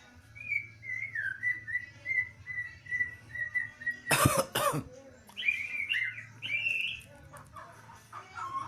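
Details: White-rumped shama (murai batu) singing: a steady run of short whistled notes, each repeated about every half second at one pitch, broken by two loud human coughs, then brighter, higher slurred whistles.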